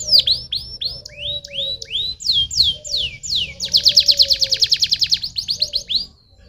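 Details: Canary song meant to stimulate other canaries to sing: rapid series of high downward-sweeping whistles, then rising swoops, then a fast buzzy trill of repeated notes, with a faint steady low hum beneath.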